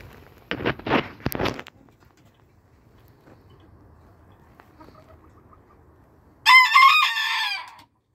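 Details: A few heavy thuds and quiet rustling are followed by a single loud, rough crow from a Booted Bantam rooster that holds steady and then trails off.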